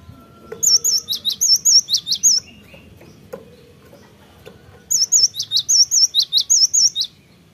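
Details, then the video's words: Cinereous tit song used as a lure recording to get birds singing quickly: two bursts of high, clear whistled phrases, each about one and a half seconds of rapid repeated two-note notes, separated by a quiet pause with faint low background hum. "Pancingan gelatik batu,,,cepat gacor.."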